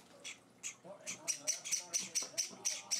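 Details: A hand-fed Java sparrow chick begs at feeding time: a few scattered raspy notes build into a quick run of sharp, hissing chirps, with low human speech in the background.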